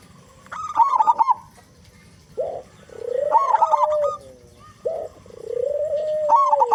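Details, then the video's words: A local zebra dove with a big voice, used as a lure to prompt other doves to sing. Bubbling, staccato coo phrases alternate with lower, drawn-out, smoother cooing notes. "Perkutut Lokal Gacor Suara Besar Pancingan Burung Perkutut Agar Cepat Bunyi"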